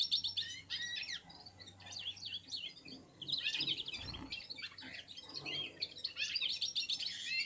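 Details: Red-fronted serin (Serinus pusillus), a Central Asian finch, warming up in song with other birds: rapid, jumbled high twittering, about four notes a second, with a soft low hum underneath.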